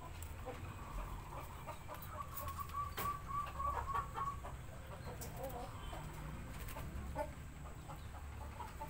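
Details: A female Japanese Shamo chicken, just finished laying eggs, gives low, repeated clucks and short murmured notes at a quick, uneven pace, over a steady low background hum.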